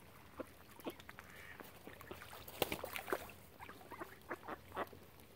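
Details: Ducks around a swan family on Lough Neagh at Oxford Island, Ireland: scattered short rough calls, a busier cluster of loud grating quacks in the middle, then spaced single notes.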